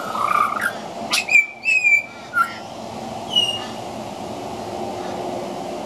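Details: A juvenile pied butcherbird practising its song gives a few halting, fluted whistles, some sliding down, mixed with scratchy clicks over a steady background hiss.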